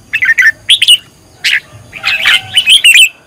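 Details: Bright warbling from a red-whiskered bulbul trained as a decoy singer: clusters of slurred whistled notes broken by short gaps, plus one burst of a rougher chirp midway.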